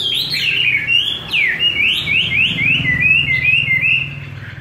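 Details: Chinese hwamei with a wild-type voice, fed homemade bird feed, singing a loud sequence of repeated rising-falling whistled slurs, each swooping note following quickly on the last in an even rhythm, with a faint low hum underneath.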